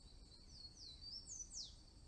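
Blue-and-yellow Tanager giving thin, very high notes: short sliding whistles, the last a sharp downward sweep, over a low rural hum.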